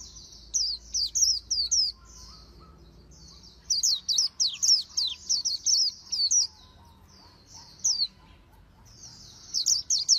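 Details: Oriental white-eye training its 'líu đấu' song, said to be in standard magpie-robin voice: repeated bursts of rapid, high, zigzagging chirps, some runs of six or more notes, with quieter twittering between the loud phrases.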